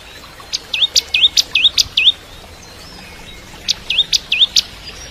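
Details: Bar-winged prinia singing actively in the 'kristal' style, recorded as training song for a young White-rumped shama: two bursts of sharp high chirps, each with a dipping, hooked whistle, about six notes then a pause and four more.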